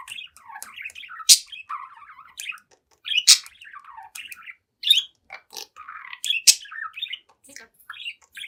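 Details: Pet budgie, seven months old, chattering and singing before a mirror: rambling warble of chirps, squeaks and buzzy garbled phrases, punctuated by loud sharp clicks roughly every one to two seconds.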